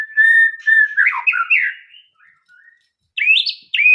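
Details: Steady whistled note followed by quick warbling slurs from a white-rumped shama, a short lull, then two bright rising whistled phrases.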